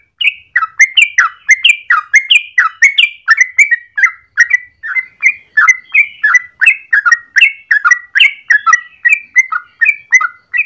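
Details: Yellow-vented bulbul in long morning song, used as a training or lure recording: a steady run of bubbly, liquid notes, several per second, rising and falling in quick chattering phrases with no other sounds.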